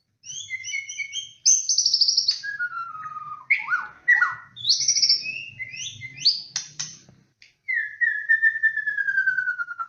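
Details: White-rumped shama (murai batu) lure song: high repeated paired notes, a descending whistled run, a varied mix of slurs and clicks, then a long, slowly falling whistle.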